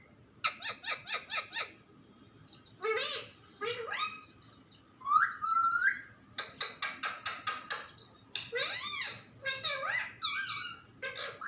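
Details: A talking parrot mixes fast rattling clicks in rapid series with bent squawky syllables and a clear upward-gliding note, several bursts over about eleven seconds.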